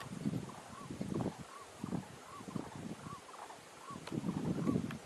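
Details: Blue-eyed ground dove foraging in Minas Gerais, Brazil: soft, arched single notes, evenly repeated about every three-quarters of a second, over a steady bed of low rumbling and rustling noise.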